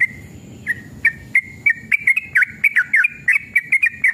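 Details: Yellow-vented bulbul (trucukan) giving an emotional 'ropel' song meant to trigger other trucukan to sing. It opens with a drawn whistle, then speeds into rapid bubbly notes of about three per second, some dipping in a V shape.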